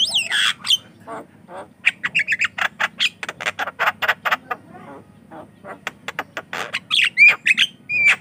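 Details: Loud, lively Javan myna song meant to draw out and train unschooled mynas: sliding whistles open, followed by a fast train of grating, buzzy notes and squawks, closing with twisting whistled phrases.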